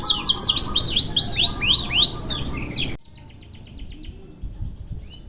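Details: Canary singing a long-duration, single-breath song meant as a training recording for other songbirds: a rapid series of bright, high down-slurred whistles, several each second, then an abrupt cut to a softer, quicker buzzy trill with scattered chirps.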